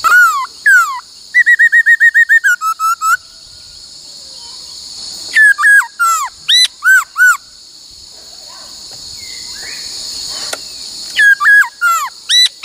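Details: Laughingthrush in song training, singing many voices including the 'bắt cô trói cột' phrase: loud clear whistled notes slurring up and down, a rapid run of about ten repeated notes, then bursts of paired whistles after a quiet gap.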